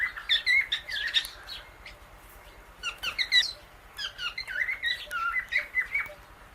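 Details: Indian ringneck parakeet and Alexandrine parrot, a pet pair, eating guava seeds; clusters of bright, bending chirps and dry clicks come in three groups with short pauses between.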